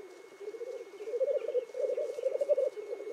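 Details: Black grouse at a lek in the Cairngorms National Park, filmed in the morning while displaying and fighting; an unbroken, low, rolling bubbling murmur that swells in loudness in waves.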